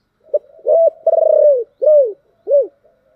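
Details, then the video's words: Spotted dove with the 'thổ đặc' voice style, used to stir decoy doves into calling. A brief lead note comes first, then a held coo and a stuttering pulsed coo. Two arched, falling coos follow against a silent background. "cu gáy giọng thổ đặc/ tieng cu gay kich boi nhanh noi"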